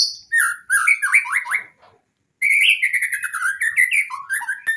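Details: Varied white-rumped shama song used to prompt birds that rarely sing: a high whistled note, fast descending slurred phrases, a short silence, then a long rapid run of rising and falling notes.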